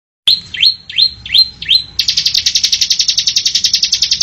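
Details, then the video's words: Bar-winged prinia sings five quick, rising whistled notes, then breaks into a fast, high, buzzy trill of about twenty notes, with no other sounds. "suara mp3 ciblek gacor bocor"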